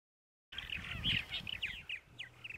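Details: Purple martins newly arrived at nest sites in Center Moriches, Long Island, New York, on a spring morning at 8:30 AM, April 14; a burst of chirps and gurgling notes after a silent start, with low background rumble.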